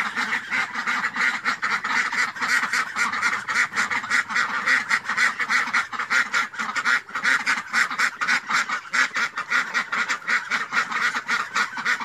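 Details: A flock of ducks keeps up a steady stream of harsh, nasal quacks for twelve seconds, calls crowding over one another with only brief dips between them.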